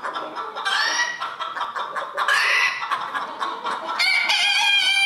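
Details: Roosters at a 2022 crowing contest in Villers-la-Ville, with hoarse, overlapping crows at about one second, two and a half seconds and four seconds over steady hall chatter and background clucking.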